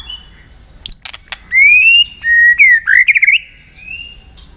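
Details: Multi-voiced White-rumped shama song meant to excite and train other shamas: a few sharp clicks, then a rising whistle, a level whistle, a fast warbled trill and a soft closing whistle.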